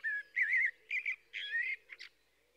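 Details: Song of a blackbird: rich, throaty warbles in three or four short phrases, then two quick, high squeaky notes as the phrase trails off.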